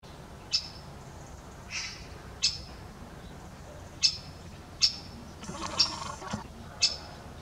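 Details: A great spotted woodpecker (Dendrocopos major) at Danilovgrad gives sharp, high 'kik' calls, single notes spaced a second or two apart.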